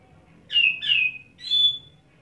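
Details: An Oriental magpie-robin, freshly bathed and singing from one perch, sings three clear, high whistled phrases: two quick slurred notes falling slightly, then a longer steady whistle, over a faint low background hum.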